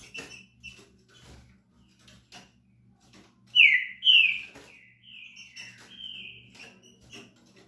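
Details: Green-winged saltator singing while competing for a female: a couple of loud whistled, slurred phrases followed by longer, softer drawn-out whistles, with faint clicks, taps and a low hum throughout.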